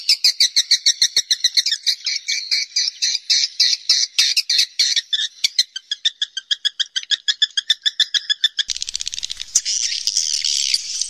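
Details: Swiftlet calling sound recorded in a cave: rapid, high, buzzy chattering calls in long trills of clicks, dense and continuous with many birds overlapping.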